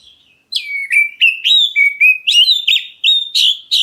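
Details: A black-breasted Oriental magpie-robin calls so that other birds answer back, giving about a dozen rapid clear whistles that step up and down, each begun with a harsh buzzy flick, in one unbroken stream.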